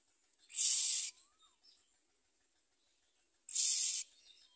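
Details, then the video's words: At a common myna nest, chicks that eat little and try to bite their mother give two harsh, hissing rasps about three seconds apart, with faint soft chirps between. "Common myna Baby Birds eat less and want to bite their mother"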